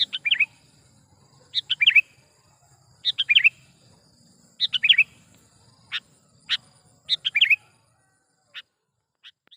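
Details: Sooty-headed bulbul used as a trapping lure, repeating brisk clusters of three to five liquid chirps every second or two, later giving single sharp notes spaced apart, faint low rumble behind.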